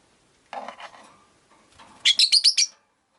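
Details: Caged Rosy-faced lovebirds, five birds kept in a cage by a window, give a quick run of about five sharp, high chirps after softer, lower chattering notes; faint street noise lies beneath.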